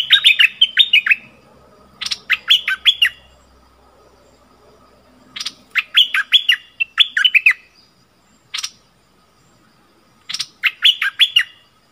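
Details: Caged decoy bulbul singing to draw fierce wild bulbuls to its cage, recorded 28 February 2021: bursts of three bright, descending whistled notes, each burst preceded by sharp clicks, repeated every two to three seconds over quiet background.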